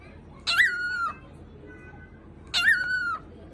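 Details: Pet cockatiel barking after imitating gargling: two harsh, nasal, dog-like barks about two seconds apart, each starting with a rough burst and then holding a steady tone before cutting off. The room is otherwise quiet.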